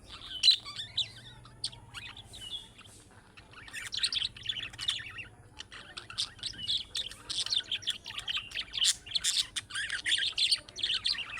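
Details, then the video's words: Budgerigar voice of the chick-style calling sort, meant to draw replies from other budgerigars: nearly continuous busy chatter of high chirps, clicks and squeaky warbles, growing denser toward the end. "MUHABBET KUŞU SESİ Kuşunuz Bu sese Karşılık Verecek Kuş Sesi"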